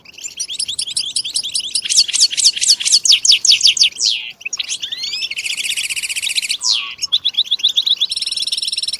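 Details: European goldfinches in group song, with twittering and mating calls meant to stimulate silent males to sing: fast bright chirps, then buzzy trilled runs and rapid repeated notes in blocks, high-pitched and dense.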